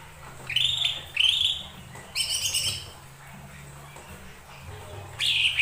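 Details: Lesser green leafbird song used as a lure to provoke other birds to sing: a few separate rising whistled notes, some with sharp upward sweeps, spaced by short pauses, over faint low hum.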